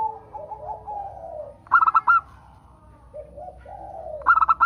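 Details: Local zebra dove song played to prompt other doves to sing: soft, low, wavering coos followed by a louder clipped series of three or four staccato notes, with the phrase repeated twice.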